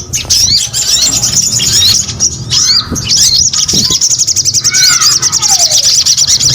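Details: Sogon singing persistently, a dense run of high, rapid twittering and sharp rising and falling chirps that barely pauses, with a long sliding whistle near the end.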